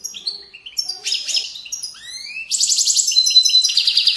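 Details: European goldfinch singing the Widaniya song style, said to come from Moroccan valley banks; varied twittering phrases with rising slurred notes, then rapid buzzy trills repeated densely.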